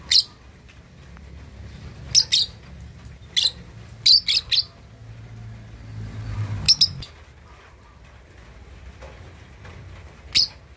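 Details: Lovebird aged two and a half months learning to chatter; sparse sharp high chirps, some in quick pairs and triples, with a low engine-like rumble midway.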